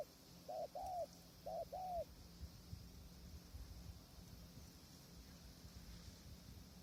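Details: Spotted dove during windy decoy trapping. Two quick coo pairs open the clip, then only steady wind and faint background hiss remain.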